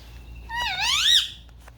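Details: Pet Indian ringneck parrots playing, recorded on a phone: a single loud, nasal, harmonic call that dips and then rises into a bright arched screech lasting under a second. A low hum sits underneath.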